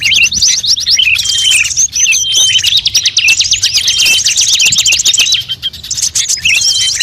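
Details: Lure mix of many birds for attracting birds: continuous overlapping trills, chatter and high whistles with few gaps, dense and bright throughout, with a brief quieter patch late on.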